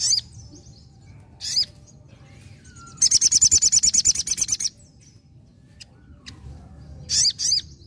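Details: Sogon singing vigorously in nembak ngalas style: a rapid, very high, buzzy trill of about a dozen evenly repeated notes lasting under two seconds, between brief sharp chirps, over faint low background hum.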